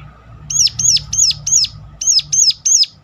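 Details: Sharp calling of a ciblek gunung, the Sunda warbler, meant to prompt rivals to sing: seven high arched notes, each dropping at the end, in two bursts of four and three, about three per second.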